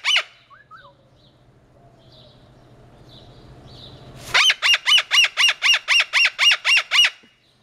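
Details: Moluccan cockatoo giving its loud flock call: after a few seconds of faint chirps over a low hum, eleven harsh, piercing screeches burst out in a steady series, about four per second, then stop abruptly.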